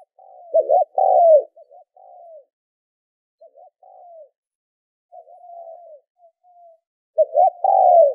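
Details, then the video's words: Lure calls of a spotted dove for training decoy birds. Loud stuttering two-note coos with long falling tails alternate with softer, fainter coo phrases and brief pauses, then end in one strong full phrase. No background noise. "tiếng chim cu gáy kích mồi tập bổi hiệu quả"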